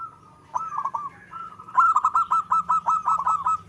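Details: Local zebra dove singing: a soft opening stutter of coos, then a loud, fast run of about eight evenly spaced, bubbly notes.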